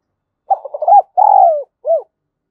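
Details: Caged spotted dove used as a decoy to lure wild doves gives one full cooing phrase: quick broken opening notes, a long level coo sliding down at its end, then a short arched final note, with nothing else audible.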